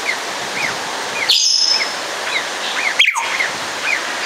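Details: Congo African grey parrot of the nominate subspecies, kept at Warsaw Zoo, gives a loud harsh squawk with a ringing overtone, then later a sharp falling note. Faint short chirps repeat throughout over a steady background hiss.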